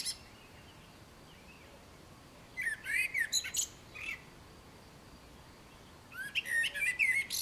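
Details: Common blackbird song: two phrases about three and a half seconds apart, each a soft fluted warble breaking into high, scratchy twittering, over a quiet outdoor background.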